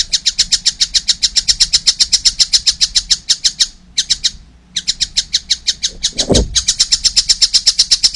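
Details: Rapid strings of harsh, buzzy notes from a young collared kingfisher continue with brief breaks, and a dull low thump sounds near the end.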